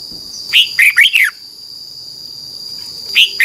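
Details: Tutor song of a red-whiskered bulbul in Thailand for young birds: one crisp phrase of four bright, looping whistles lasting under a second, a pause of about two seconds, then the next phrase just beginning; thin electronic tone underneath.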